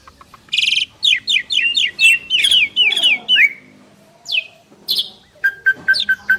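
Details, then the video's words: Duet of two Asian pied starlings: a long tumbling series of rising slurred whistles, then harsh rasps and a closing string of five short, even, piping notes. "Jalak Suren Istimewa | Duet 2 Burung Juara"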